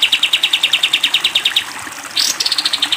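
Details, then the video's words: Sooty-headed bulbul recorded as a training song for cage birds, in the long 'tembak panjang' style: a fast, even series of sharp, high chipping notes about nine per second, a brief rushing burst, then another rapid run. "masteran kapas tembak panjang"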